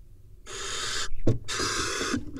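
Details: Barn owls at an Israeli nest camera as the male brings a vole and mates with the female: two long, harsh, breathy hissing screeches about a second apart, with a few soft knocks and thumps between them.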